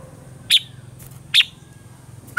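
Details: {'caption': 'Red-whiskered bulbul singing its morning song in the mature wild-forest style, used to train caged birds: two brief high chirped notes about a second apart, with a third beginning, over a constant low hum.'}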